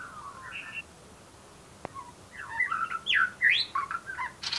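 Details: White-rumped shama singing: varied whistled and chattering phrases, some rising and falling sharply, loud burst in the second half after a quieter opening whistle and a single click.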